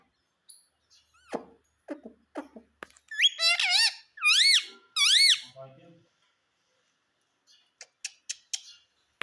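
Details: Talking ringneck parrot kept as a pet, mimicking "mummy": soft clicks and short tones, then three loud wavering harmonic syllables in quick succession, followed by quiet ticks and faint high squeaks.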